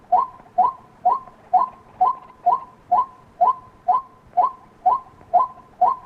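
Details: White-breasted waterhen giving a steady series of short, hoarse two-part notes, each dropping then levelling, repeated about twice per second with very even rhythm over a quiet background.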